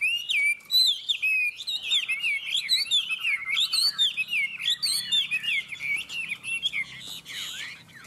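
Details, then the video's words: Chinese hwamei, one of two caged birds in a singing contest, delivering a loud, unbroken torrent of high looping whistles and chattery notes. "Họa mi hót đấu"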